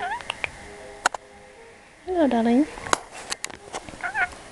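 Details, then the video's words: A pet lorikeet babbles in rough, speech-like bursts during a ramble and lens lick, with a warbling, wavering phrase in the middle, scattered sharp clicks, and a person talking nearby. "Lorikeet silly talk"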